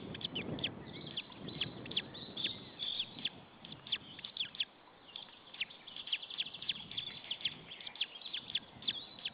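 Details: White-tailed eagle chick left alone in the nest at Saunja, Estonia, 26 April 2013, 16:44; continuous high peeping, thickening toward the end, with low wind-like rumbles in the opening seconds.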